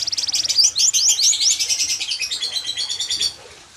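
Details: Yellow fighter canary singing a fast, high song of rapid repeated notes and quick rising sweeps, pulsing steadily for about three seconds before stopping.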